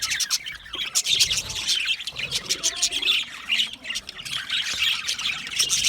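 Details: Australian budgie parrots chirping together: a busy, overlapping wall of high, raspy twitters and short squawks that rises and falls in loudness without pause.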